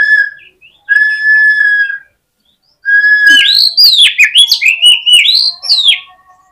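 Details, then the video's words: Oriental magpie-robin fighting song, for provoking rival magpie-robins. Two long, steady, level whistled tones are followed by a loud run of rapid, sweeping, rising-and-falling whistles that ends in a softer held note. "KACER GACOR FULL FIGHTER !!! COCOK UNTUK PEMBANGKIT EMOSI KACER LAWAN AGAR NGOTOT"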